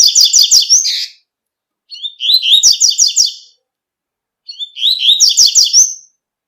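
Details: Double-collared seedeater singing in nature, used as a tutor for young and adult birds: three bursts of fast, high, rhythmic twittered notes, each about a second long, separated by silent pauses.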